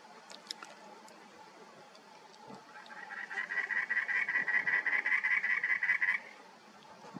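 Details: Cactus wren at Saguaro National Park gives a harsh, grating chatter of about fifteen fast, even notes over three seconds, like an engine that won't start, over a faint steady hum.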